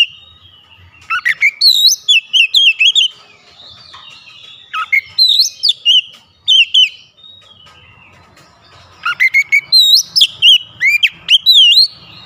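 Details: Oriental magpie-robin delivering fierce, wide-beaked song: three long outbursts of rapid, shrill whistled notes swooping up and down, separated by quiet spells of a few seconds.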